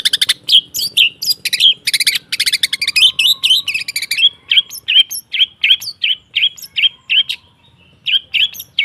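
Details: Song of the long-tailed shrike (pentet) used as a training stimulus for birds that have stopped singing: harsh rattling bursts give way to short whistled notes repeated about three times a second.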